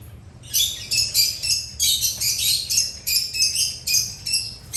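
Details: Birds chirping while eating: a rapid series of bright, harsh chirps, about three per second, in a steady rhythm after a quiet start.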